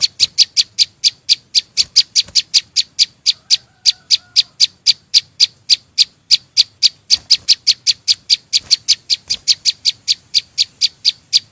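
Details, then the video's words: Long run of crisp, high ticking notes from a flowerpecker, delivered at a steady quick pace of about four per second for over ten seconds, with a faint low whistle early on. "ssuab no9ó txeeev quaj zô heec tiếng chim sâu xanh hót chuẩn"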